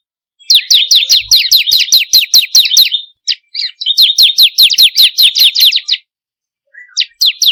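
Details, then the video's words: Bar-winged prinia song used as a lure to make kept birds sing: two long runs of fast, evenly repeated downslurred high notes, then a few separate falling notes near the end. "pancingan burung ciblek kristal paling ampuh || mp3 burung ciblek"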